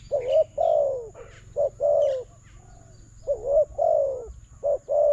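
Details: Spotted dove singing toward a decoy during a bird-trapping contest: loud, clear cooing phrases, a short note followed by a long falling coo, repeated in quick succession, with faint twittering behind.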